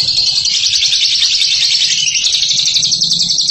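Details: Ngekek-style chatter from a champion bird: a dense, shrill stream of quick notes, about three and a half per second, sustained without pause. Faint low hum in the background.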